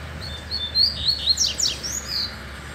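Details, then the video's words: Double-collared seedeater, loose rather than caged, singing vigorously after a female stirred it: bright high whistled notes, then sharp downward-sweeping buzzy slurs in a quick, energetic phrase. "OLHA A FIBRA DESSE COLEIRO SOLTO!!! VOLTOU AO NORMAL!!! O QUE UMA FÊMEA NÃO FAZ.."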